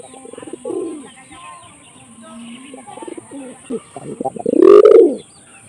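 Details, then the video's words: A pet hunting pigeon in Chowgacha, Jessore, Bangladesh, hand-raised from a young chick, gives low, throaty coos and rolling grunts that swell to a loud burst near the end, with a man's voice speaking between them. "শিকারি কবুতরের রহস্যময় ডাক!"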